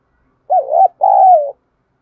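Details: Spotted dove decoy bird calling all day, Thổ-voice song: one low, mellow double coo, a brief undulating note and then a longer, level-to-falling hoot, with nothing else audible.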